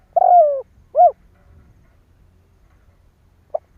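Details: Spotted dove lure call meant to stir rival doves into calling: a long descending purred croo followed by one short rounded coo, then near silence with a faint soft note near the end.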